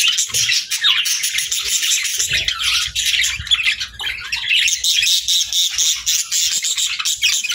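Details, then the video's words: Continuous bright chatter from pet budgies: high, buzzy, fast-twittering notes run unbroken for over seven seconds, with faint low bumps in the background. "Budgies Chirping"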